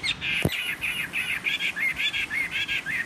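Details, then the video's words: Chinese hwamei of the fighting type, wild-caught and caged three seasons, sings on a table, slightly hoarse: rapid rhythmic string of loud rich whistled notes, about eight per second, with one sharp knock near the start. "Họa mi chiến 3 mùa lồng hót để bàn"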